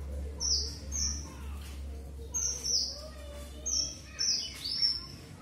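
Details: Red avadavat, also called strawberry finch, giving thin high-pitched chirps and short downslurred whistles in four spaced bursts, over a steady low hum and faint background murmur.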